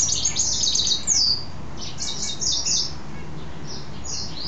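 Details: Male mule goldfinch, caged, singing after taking a bath; short bursts of high twittering and downslurred notes separated by brief pauses.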